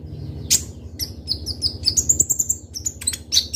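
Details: Fast, sharp song of a kolibri ninja sunbird (Konin) meant as a lure: a quick sequence of high chirps and squeaky notes, rising in density toward the middle, over a low background hum.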